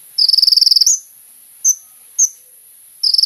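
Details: High, rapid sunbird trill of about a second, then two isolated sharp high notes and the start of another trill; kolibri ninja song played as a lure to draw a response.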